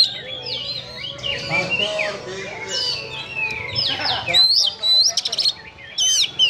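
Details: Oriental magpie-robin, locally kacer, singing harshly to provoke emotion: varied twisting whistles and scratchy notes, then loud, abrupt high upslurred whistles and rasping bursts in the second half.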